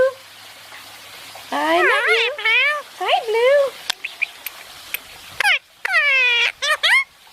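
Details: {'caption': 'Talking Indian ringneck parakeet while basking at home: after a quiet start, wavering nasal speech-like phrases, scattered clicks, and a long sweeping syllable near the end.'}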